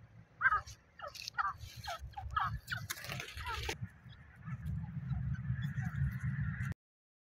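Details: Wild grey francolin near its nest calling in a quick run of rasping notes about twice a second, then a loud rustle and a stretch of low rumbling background noise.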